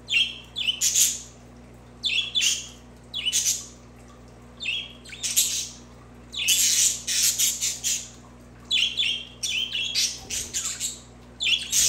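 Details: Budgerigar chatter meant for pet budgies: busy bursts of squawky, scratchy chirps and warbles in rapid clusters, short pauses between groups, low electrical hum underneath.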